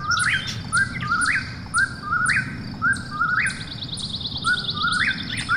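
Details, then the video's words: ['Eastern whip-poor-will whistling its rising phrase about once a second at night, joined by sharp high clicking notes from another caller and a fast pulsing insect trill.'] "Eastern Whip-poor-will Call"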